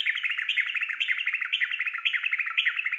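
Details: Yellow-vented bulbul song used to prompt a kept bird to sing: dense, continuous bubbling chatter of quick chirps and warbled notes, overlapping phrases repeated about twice a second, loud and steady throughout.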